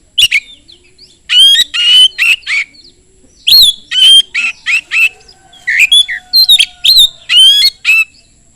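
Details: Oriental magpie-robin in fast, loud song played as a lure to prompt other magpie-robins to answer: bursts of loud, harsh, buzzy notes mixed with sharp whistles in quick clusters, separated by short pauses, with a faint steady hiss behind.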